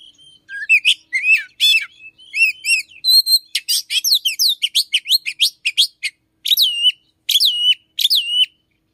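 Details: Oriental magpie-robin singing in the morning: a rich, varied run of whistled and sharply slurred notes, rapid chirps and upward-sweeping phrases, pouring out almost continuously with short pauses between bursts.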